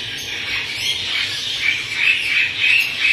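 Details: Hand-reared Hahn's macaw, newly arrived at a bird store in Ferntree Gully, Victoria, giving harsh, grating squawks in a rapid, uneven stream, with a few brief thin whistled notes near the end.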